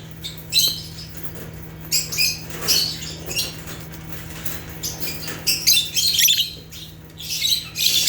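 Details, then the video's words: African lovebirds (Agapornis) chirping naturally: bursts of harsh, high-pitched, buzzy chatter that come in clusters every second or so, over a steady low electrical hum. "Rare African Lovebirds (Agapornis) | Natural Chirping Sounds"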